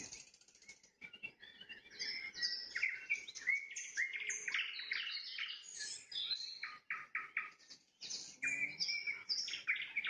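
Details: Nightingale singing at sunset, trilling: a dense run of varied high whistles, buzzes and rapid note series, with a repeated mid-pitched note series near the end and brief pauses.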